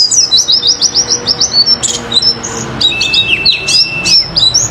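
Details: Pleci (oriental white-eye) song used as a lure to provoke other birds to sing: rapid high, thin chirps repeated in quick runs, then a varied twittering mix with a long steady whistled note and sharp down-slurred notes.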